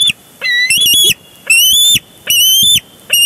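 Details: Bald eagle at its Big Bear Lake nest, June 23, 2022, during a tussle over a big fish, picked up by a live camera: four loud, piercing, squeaky calls, each rising then levelling, spaced under a second apart.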